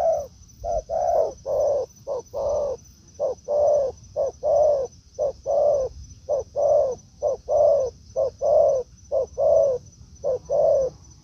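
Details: Forest encounter between a decoy spotted dove and a wild bird: a long run of low, soft coos, short and long notes alternating in quick pairs, fairly even tempo, over light background hum.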